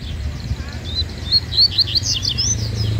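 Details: Yellow-bellied seedeater (coleiro-baiano) in a singing duel: a short, fast flurry of high, bright, slurred notes that grows louder toward the end over low background rumble.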